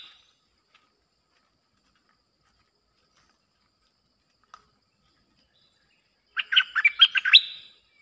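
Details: Bulbul song used to lure wild birds: after a long silence, one short burst of rich, bubbly warbled notes rapidly alternating up and down, lasting just over a second near the end.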